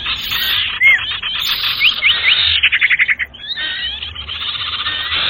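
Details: Trapping lure sound of the sirtu bird: a few slurred whistles, then quick buzzy chirps and a fast stuttering trill against a constant noisy hiss.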